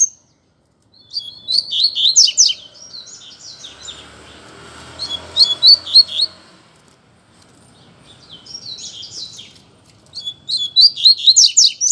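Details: Coleiro (double-collared seedeater) song duel with a second bird: bursts of high, rapid, slurred chirps. A pause is filled by a soft rushing noise, then another fast twittering phrase follows.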